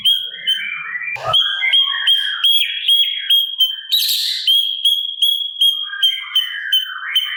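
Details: Sooty-capped babbler with kasaran filler, recorded as a master for cage birds: a long string of high pulsed whistle notes about two per second, with softer lower warbles and one rough buzzy burst.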